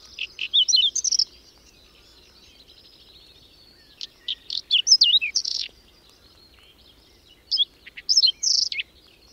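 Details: A whinchat in a May blizzard on the outskirts of Domzherytsy, Berezinsky Biosphere Reserve, repeats short song phrases about every three to four seconds, each a quick jumble of high scratchy chirps and whistled notes, separated by quiet gaps.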